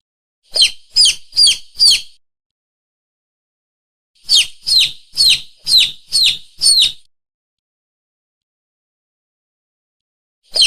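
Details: Young chickens giving shrill, descending peeps: a run of four evenly spaced notes, a pause of about two seconds, then six more in a steady series, and one final peep at the end. The background is silent.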